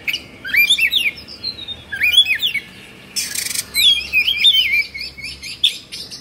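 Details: Oriental magpie-robin from Indonesia, a kept bird singing in an agitated state with its tail spread. Bright whistled phrases with sharp upward and downward sweeps come in bursts, and a short hissing noise breaks in midway.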